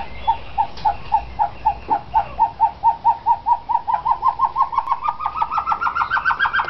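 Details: Himalayan snowcock calling: a long series of short, evenly spaced hooting notes, about four per second, rising gradually in pitch and quickening toward the end, with faint background noise.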